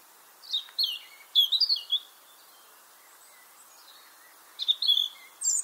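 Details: European robin song from Ireland, a species where females also sing: short bursts of high, thin, wavering warbles and trills, separated by pauses, with faint background hiss.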